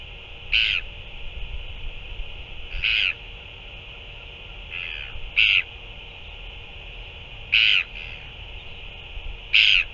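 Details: Northern royal albatross feeding a chick, 9 February 2024: a run of six short, rasping harmonic calls at irregular intervals of about two seconds, some followed by softer echoing notes, with a continuous hissing background.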